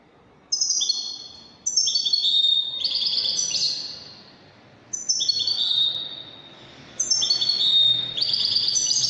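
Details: Moroccan wedani song of a European goldfinch: bursts of rapid, tinkling notes stepping downward, a long jangling phrase, a pause, then two more sparkling twittered runs, the last long and dense.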